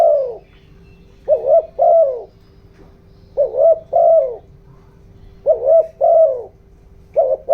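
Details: Decoy spotted dove calling in 'giọng đồng' voice to lure and excite wild doves. Low, soft coo phrases, a double-peaked note then a sustained descending coo, repeated roughly every two seconds against a faint electrical-like hum.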